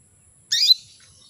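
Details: A female canary calls to excite males, giving a single loud, bright chirp that sweeps up sharply and ends in a short whistled tail, in otherwise quiet surroundings.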